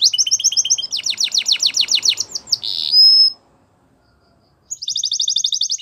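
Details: Belgian canary song: rapid pulsed trills of ticking notes, a brief harsh burst and a thin high whistle, a pause of silence, then another fast rattling trill resumes, faint background hiss.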